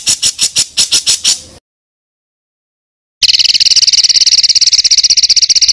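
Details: Songbird on a masteran recording meant as song material for contest birds, kasaran ngeroll style: a short run of evenly spaced high pulses, a long silence, then a continuous fast rattling trill.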